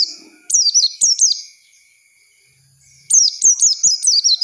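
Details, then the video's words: Oriental white-eye song used as a lure to teach untrained young birds forest-style singing: two bursts of rapid, high, downward-slurred whistled notes, each phrase rippling quickly, separated by a quiet gap, over a faint steady high tone. "Pancingan pleci bahan untuk belajar ngalas"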